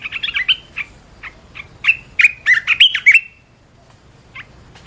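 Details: Caged red-whiskered bulbul in a lure recording for training birds. A fast jumble of chirps opens, then bright whistled and warbled phrases tumble together. Quiet pause, then one faint note.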